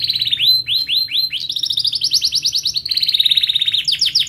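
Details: Canary song used as a tutor for young canaries learning to sing: loud, high, rapid rolling trills of repeated rising and falling notes, switching between several trill types with no pauses.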